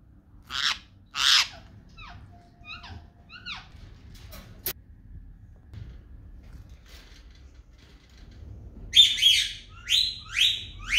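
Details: Rose-ringed parakeets, a newly bought male placed with a rescued female meant to mate, give two harsh, raspy screeches, soft falling whistles, then a fast run of five grating shrieks; the female's reaction was surprising; the finding is rose-ringed parakeet.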